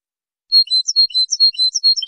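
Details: European goldfinch singing in a training recording from 2023: after a short silence, a lively run of clear, high, ringing notes mixed with twittery chirps, delivered rapidly and evenly.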